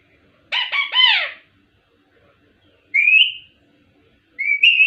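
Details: Ringneck parrot voicing a harsh, layered three-part phrase, then two separate rising whistled notes after long pauses, in an otherwise silent room.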